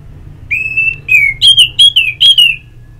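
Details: Ngeplong therapy song of an orange-headed thrush, used to prompt captive birds to sing: long clear whistles, some level and some gently falling, given in a steady series of about seven notes.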